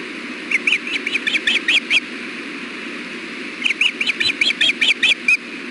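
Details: Osprey at a nest, seen on a nest camera during a 4pm fish delivery on 6.4.16 as one bird feeds its mate bites. Two quick runs of about eight piercing chirps each, separated by a pause, over constant hiss.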